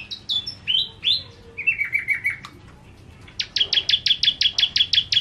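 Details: Bar-winged prinia, known locally as ciblek kristal, singing in energetic 'nembak' fashion. Opening slurred whistles and a buzzy run, then a steady string of clipped, high staccato notes repeated rapidly for about two seconds.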